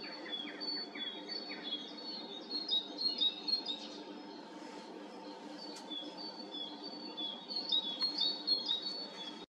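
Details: Tits singing early in the morning on 3 May, heard from a balcony: high, thin, ringing repeated notes and chirps, several birds overlapping over a steady low background hum.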